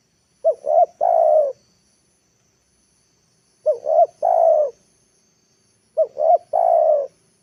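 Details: Spotted dove used as a lure bird, calling in the afternoon to draw wild birds down to the ground; three cooing phrases, each two short rising coos then one long, even coo, repeated about every three seconds, quiet between.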